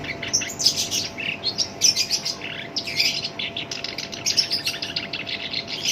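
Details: Dense, unbroken rough chattering from a kept black-browed reed warbler, a song prized as a tutor and lure for other songbirds. Fast, harsh notes tumble together with bright high accents roughly every second.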